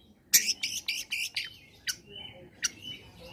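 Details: Long-tailed shrike song in a combination style, used to stimulate other shrikes to sing: a burst of five or six rapid harsh chattering notes, then scattered sharp chips and short thin whistles with pauses.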